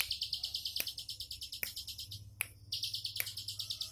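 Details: Rapid, steady, high-pitched trilling from a bar-winged prinia in relaxed 'tembakan' style, broken briefly by sharp clicks, with low background hum.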